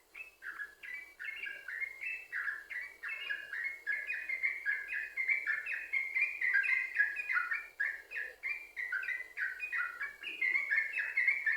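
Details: Chatty yellow-vented bulbul giving an unbroken 'sambung ropel' song, used to lure other bulbuls into singing: a long, loud stream of bubbly, warbling whistles, rising and falling notes tumbling together with hardly a pause.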